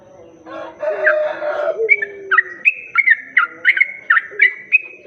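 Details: Lure recording of a sooty-headed bulbul for attracting other bulbuls. It opens with a noisy, mixed low chorus, then a run of bright, clipped whistled notes about three per second, each rising or dipping sharply, over faint low hums.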